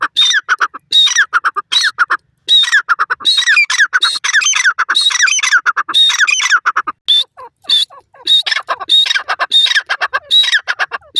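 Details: Grey francolin calls in a dense, overlapping stream of harsh squawky notes with whistled high openings, phrases running almost without break.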